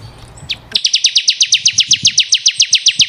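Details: Bar-winged prinia, ciblek kristal, song for caged-bird training: after a few faint chirps, a rapid even trill of sharp high notes, roughly four or five per second.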